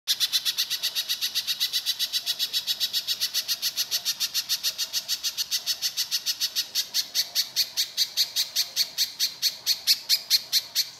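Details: Little spiderhunter singing steadily in a rough, harsh style, played as a lure to make other spiderhunters answer: a long run of sharp, high chipping notes, about four a second, growing louder toward the end.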